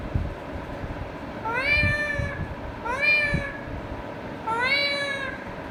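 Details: Indian ringneck parakeet, a pet bird talking to itself, gives three drawn-out nasal phrases, each rising and then leveling off, spaced about 1.5 seconds apart against low background rumble.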